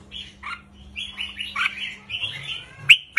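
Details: Short lively song of a red-whiskered bulbul, counting style 3-4-5, played to rouse caged birds. Quieter slurred whistled notes run together into a falling trail, ending with two sharp loud clicks, over background hum.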